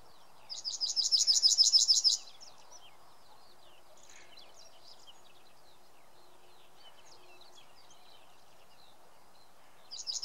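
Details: Yellowhammer in Samara Oblast, Russia, May 2016: a high, buzzy trill of quickly repeated notes lasting about one and a half seconds. A long quiet gap with faint distant chirps follows, then the next strophe begins.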